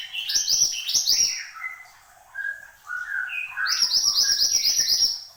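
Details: Horsfield's babbler song, described as energetic: bursts of high chattering notes near the top of the range, then a series of clear whistled phrases at varied pitches, followed by another busy chattering burst.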